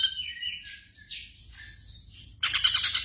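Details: Night-time training recording of black drongo song for caged birds: thin wavering whistled notes sliding up and down, ending in a loud harsh rapid rattle of grating notes, faint hum below.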